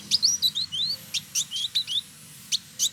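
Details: Male Village indigobird, locally called trotol, a caged tutor bird from Bandung, West Java, Indonesia, singing actively: high thin whistled notes, some sliding up or down, given in quick irregular bursts with short pauses.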